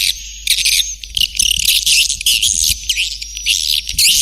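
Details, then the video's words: Lure sound for attracting swiftlets: loud, high, rasping chatter in clustered bursts separated by brief gaps, with faint thin whistled tones running across. "Suara Panggil Burung Walet"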